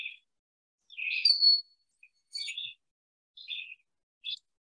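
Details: Broad-winged Hawk (Buteo platypterus), the smallest soaring hawk, often heard in forested areas of central Alabama, gives a distinctive thin, high whistle that slurs upward and holds, among several shorter, thinner chirping notes.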